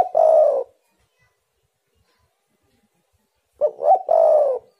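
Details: Spotted dove calling, meant to provoke wild doves: the end of one long coo, then after a silent gap a full phrase of two short hooting notes and a drawn-out coo.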